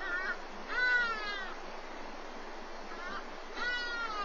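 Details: Webcam recording of a black eagle nest in Walter Sisulu Botanical Garden during a morning feeding of the chick: a run of plaintive, wavering, downward-curving cries, grouped in pairs and bursts, over constant background hiss.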